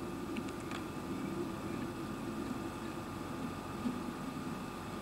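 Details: Steady low hum and faint broadband noise, like a quiet room or distant traffic, with a few soft high ticks early on and no clear animal voice.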